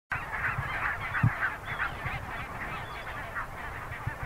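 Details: Dense chorus of honking geese calling over one another, steady and overlapping, in a goose colony where a small polar bear cub is present.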